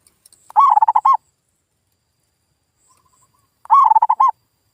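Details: Two zebra dove cooing phrases about three seconds apart, a rapid rolling series of mellow notes, played as a lure to make local birds respond; a few faint ticks precede the first.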